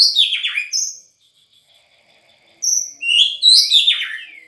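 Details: Newly obtained untamed white-rumped shama from Sangir: loud varied phrases of clear whistles and buzzy descending notes, a pause of over a second, then another rich rising-and-falling phrase.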